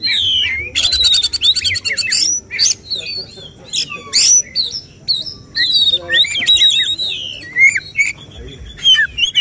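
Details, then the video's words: Contest-singing Oriental magpie-robin, locally kacer, in 'tembakan' shooting style sought by judges: a long rasping buzz burst, then a rapid string of whistled slurs, chips and sharp bursts, steadily repeated. "Suara tembakan Kacer yang diincar juri saat lomba burung berkicau"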